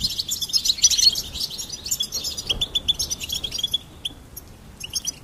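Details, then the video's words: Goldfinch song opening with a loud, dense, high warble, then a quick run of repeated bright chirps that fade into quieter twittering. "Charming Goldfinch Peep Fun for bird stimulation birds chirping"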